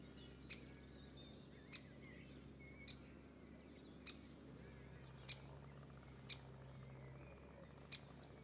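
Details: A woodpecker in a tree in the English countryside, on a sunny, cold 25 March 2020, gives sharp, high, squeaky notes roughly every second, over a low rumble with faint chirps from other birds while someone cuts wood nearby.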